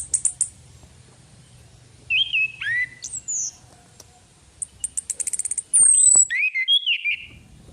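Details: Female orange-headed thrush used as a lure: clear whistled notes sweeping down from high to mid pitch, a quick series of dry ticking notes, then a high thin slurred whistle and warbled phrases, with pauses between bursts.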